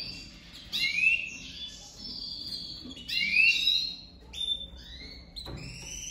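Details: Domestic canary pair kept for 2023 breeding, on the first day the male and female were put together, the female already crouching for the male; bright upward-sweeping chirps in bursts, roughly every two seconds, with fainter high notes between.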